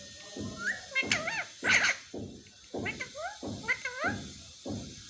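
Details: Chatty pet parrot, said to say "mummy mummy": a series of short, punchy, bark-like syllables with twisting pitch, about six bursts in quick succession, recorded indoors with a steady high hiss.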